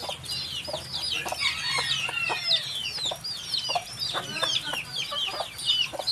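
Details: Baby chickens peeping in a busy, slightly distant chorus of high looping cheeps, with frequent short clicks and knocks and a hissy background throughout.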